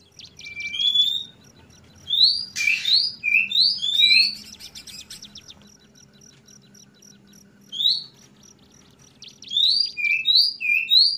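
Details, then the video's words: A spotted Oriental magpie-robin sings clear, varied whistled phrases, high and sweet, with quick slurred notes in bursts, over a low hum. "suara burung kacer trotol ngeplong"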